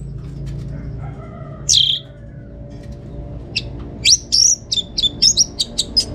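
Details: Orange-headed thrush at home in North Bali, used as a tutor song for other birds: one lone high downslurred whistle, a quiet pause, then a rapid series of short, piercing high notes and chips toward the end.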